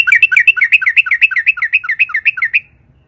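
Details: Sooty-headed bulbul song for stimulating other bulbuls: one continuous, evenly paced run of about sixteen rapid bubbling two-part notes, then quiet.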